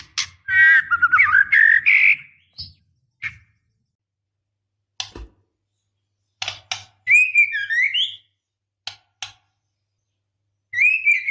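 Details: Female white-rumped shama in heat calls to a male: a long wavering warbled whistle, sharp clicks scattered through a long quiet stretch, then further looping whistles.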